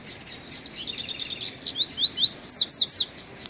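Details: Double-collared seedeater fresh from moult, on a first outing in chilly weather, delivering a fast, high-pitched phrase of twittering notes that builds into loud, repeated downward-sweeping whistles.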